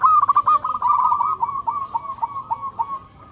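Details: Local zebra dove calling lively while seeking a mate: a run of rapid, rolling staccato coos at a steady mid pitch. The notes start tightly packed, then become spaced, separate pulses that fade toward the end.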